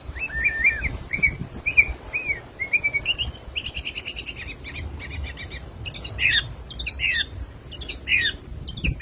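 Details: Murai batu (white-rumped shama), Medan, sings repeated arched whistles, then a buzzy rattling passage, then a fast sequence of very high sharp notes and twittering slurs.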